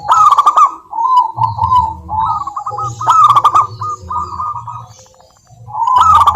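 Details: Local wild-type zebra dove lure song for coaxing quiet doves to sing: clipped cooing notes in quick series, louder bursts at the start and around the middle, over a low droning hum.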